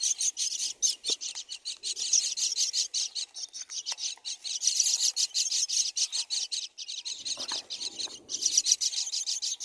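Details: Nest of four baby mynas being fed by their mother, chicks giving a continuous chorus of harsh, hissing, buzzy begging notes in fast pulses, with a short low rustle near the end.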